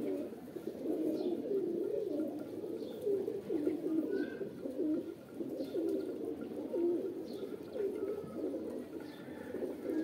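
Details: Pigeons cooing as a mating call, a dense overlapping chorus of low, rolling, throaty coos that pulse continuously with no breaks, along with faint scattered higher chirps.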